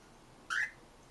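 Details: Cockatiel; angry call; expressing anger or irritation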